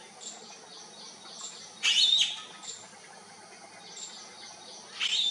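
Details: Calling to find the flock, a bee-eater gives a loud, harsh trilled note after almost two seconds, faint distant calls around it, and another call beginning at the close.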